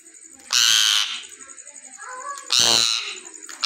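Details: Rose-ringed (ringneck) parakeet talking: two loud, harsh, raspy squawks about two seconds apart, soft chattering mutters between them and a faint high hiss throughout.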